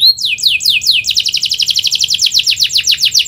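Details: Lively canary in full rolling song, meant as a lure for young learning birds; four swooping downslurred whistles lead into a rapid, even, high trill of clipped notes that runs to the end.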